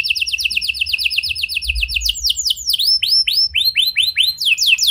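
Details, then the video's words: Energetic canary song with unique variations, used as a lure for silent canaries: a rapid rolling trill that breaks into slower, repeated descending chirps. "Buat Kenari Macet Anda Respon Dengan Suara Pancingan Kenari Gacor Ini! Kenari Gacor Cengkok Unik"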